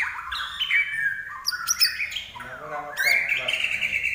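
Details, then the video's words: A common iora sings clear, sliding whistles, mostly high and drawn out, broken by two brief rattling bursts. "larwo Gacor"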